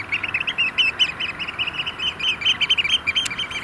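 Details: Courting Eurasian oystercatchers, a group of about 30 by a cold sandpit lake at Vriezenveen during rain and hail, give fast, high, excited piping notes in a breathless stream.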